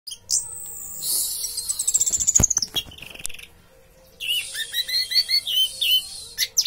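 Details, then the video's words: Caged Orange-headed thrush singing its teler song: high whistled notes, a rapid descending trill of sharp chips, then a pause and a dense run of quick, varied, chirping phrases at high pitch. "Anis merah tak sesuai harapan, bodi bagus tapi teler ngaceng"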